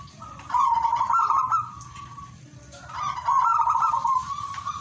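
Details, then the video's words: Zebra dove song from a Katuranggan-type bird: two long, rolling, tremulous cooing phrases, each about one and a half seconds, separated by a brief pause, with a thin steady high whine behind. "singing birds of turtledove"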